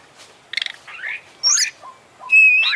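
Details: Champion Oriental magpie-robin in lively song packed with imitated phrases: a rapid stuttering trill, a buzzy slurred note, then a clear pure whistle rising into a rich warble.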